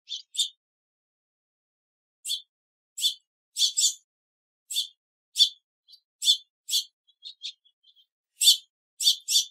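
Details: Sharp cheeping calls of a house finch, a bird that calls while perched and in flight: bright, clipped high chips spaced irregularly, sometimes doubled, with a few faint softer notes between and no background noise.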